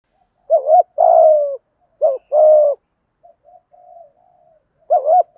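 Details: Spotted dove, male and female, thúc gù cooing in thổ style to excite wild doves: three low phrases of short wobbling and long steady coos, soft murmuring notes between, and a fourth phrase starting at the end.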